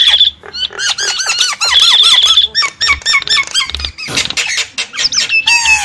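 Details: Javan myna lure calling: a series of bouncy, arched whistled notes repeated in quick succession, then harsher broadband rasps and a final wavering whistle.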